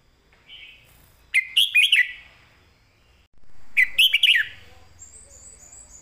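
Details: Caged red-whiskered bulbul singing a clear, well-phrased master song: two short bursts of rich, warbled whistles rising and falling, separated by about two seconds of quiet, with a faint high note trailing at the end.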